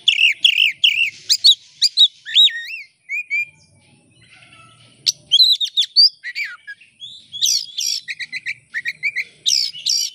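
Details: Oriental magpie-robin (kacer) song used as a lure to get other birds singing: varied whistled phrases and sharp chirps, a quiet gap midway, then bursts of rapid scratchy notes.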